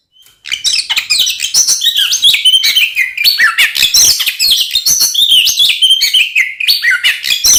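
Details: Oriental magpie-robin in full fighting song, used to make other magpie-robins angry; rapid, varied run of sweet whistles, chattering trills and harsh notes, dense and unbroken, loud and close.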